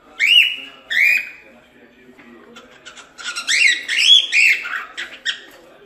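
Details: Household cockatiel opening with two drawn-out whistled calls, then a jumble of squeaky chirps and rising whistles.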